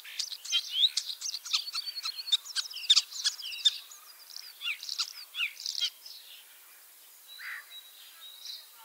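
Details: Ringed common starling wearing a Lithuanian metal leg ring, a male returning for a third spring, arrived 25 March 2023 in Liepāja, Latvia, with an injured leg; a rapid medley of chirps, clicks, buzzy rattles and thin whistles, thinning to sparse notes.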